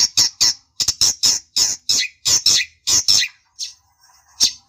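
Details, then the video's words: Long-tailed shrike calling to make a rival answer: a series of loud, harsh squawking notes, some doubled, with short gaps, tapering to scattered notes at the end. "pancingan burung cendet bikin emosi lawan nya jamin nyaut"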